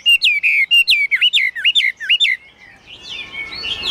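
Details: Caged Chinese hwamei singing a quick sequence of about ten strong whistled notes, each dipping sharply then flicking up, before the song fades into softer, distant twittering and faint noise.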